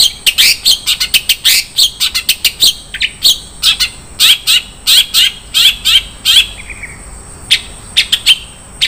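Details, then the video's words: Long-tailed shrike singing a song rich in 'isian mewah' (luxurious filler) material used for contest training: dense run of sharp high chirps and buzzy notes, ending in a brief falling trill, then a few scattered chips. "SUARA BURUNG CENDET - ISIAN MEWAH"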